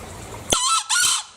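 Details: Bali green junglefowl calling once, a loud scratchy two-syllable crow with a short gap between the rough first note and the sustained second note, over faint low background hum.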